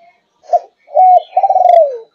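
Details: Malaysian spotted dove, 5.5 months old, of the fast 'thúc gù' cooing line, gives a short low coo, a brief pause, then a longer rolling, quavering coo that slides downward at the end, in a quiet indoor setting.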